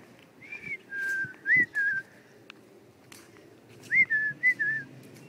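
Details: Household parrots whistle short tonal notes, a bending note then two level ones, repeated as a second burst of quick twittering whistles; faint clicks and room noise behind.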